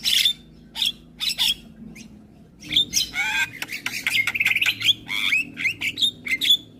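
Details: Javan myna singing in the morning, said to make nearby mynas reply: a few loud buzzy squawks, a pause, then a long fast string of clicks, chatter and bright whistled notes.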